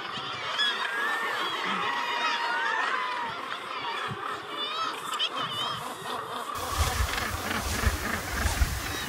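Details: Nesting Northern gannets calling on the Helgoland sea cliffs: a continuous mass of coarse, croaking calls from many birds, joined in the last seconds by strong low rumbling wind noise.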